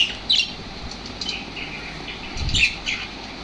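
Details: Lovebirds responding to lovebird sounds with scattered shrill chirps and short rasping notes, the calls fairly sparse, over low rumbling noise.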